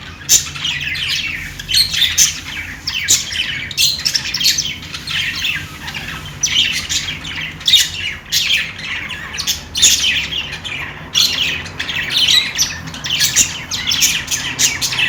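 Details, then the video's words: Long run of playful budgie chatter: rasping squawks, buzzy warbles and high tweets tumbling together almost without break, over a soft low hum. "Australian parrot singing | love birds sounds | parakeet chirping sounds | budgies playing sounds"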